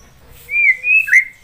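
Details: White-rumped shama song used as a training master: a clear, drawn-out whistle wavering slightly in pitch, then a brighter rising-falling whistled phrase.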